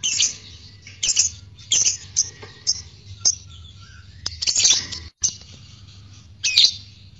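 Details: Lovebird calling in a sequence meant to provoke courtship and singing: sharp, high chirps and short shrill bursts spaced irregularly, some louder squawky notes near the end, over a low steady hum.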